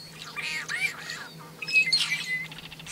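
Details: Tricolored blackbird male near Kern National Wildlife Refuge, California, 26 February 2003, singing and calling: raspy squawking phrases and bright squeaky notes in two quick bursts, with a faint low hum beneath.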